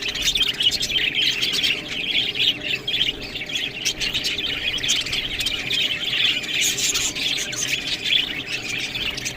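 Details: A busy stream of squeaky chirps and warbled notes from budgies eating green food, punctuated by sharp clicking and rustling as they feed.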